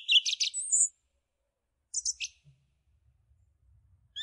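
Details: Song thrush giving brief bursts of high, scratchy chirping song separated by silence. A faint low rumble sounds in the background.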